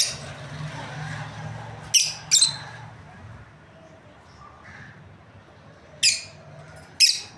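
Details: Breeding lovebird pair chirping: scattered piercing high chirps, two close together, then two more seconds apart, over a low background hum.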